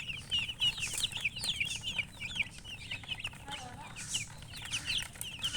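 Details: Chirping from colour chickens: rapid series of shrill, descending peeps, several birds calling at once, with brief pauses and a low rumbling background.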